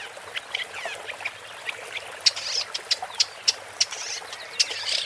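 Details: Woodchat shrike (Lanius senator) giving a scratchy song of sharp, spaced ticking notes and short harsh chatters, with some faint slurred notes early, over a soft hiss.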